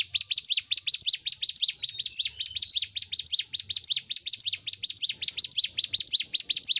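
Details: Continuous song of a Hill Prinia, a training recording to push caged birds kept in groups to start singing and become fighters. Dense, high-pitched chirps tumble in quick doubled figures without pause over a quiet low rumble.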